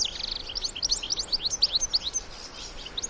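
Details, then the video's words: European goldfinch adults and young in the wild giving a series of sharp, clear high chirps. Single notes repeat roughly every fifth of a second, then thin out toward the end. "الحسون وصغاره في الطبيعة مع تغريد وبتبتة خلوية"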